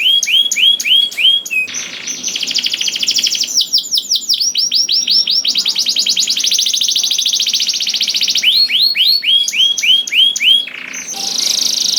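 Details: Canary song for prompting other canaries, a long varied performance of repeated whistled loops, extended fast rattling trills and quick chirp series, with rhythm and pitch changing every few seconds.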